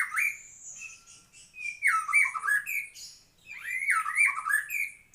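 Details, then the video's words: White-rumped shama sings two similar phrases about two seconds apart, each a high thin whistle leading into loud, harsh downswept chattering notes. "Kicau Murai Batu Maskot Para Pecinta Burung Kicau"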